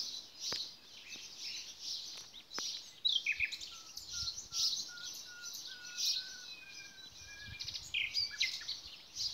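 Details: Nightingale delivering a slow series of pure, slightly falling whistles, about one each half second and growing louder, after scattered clicks and chirps, against a busy chorus of birds.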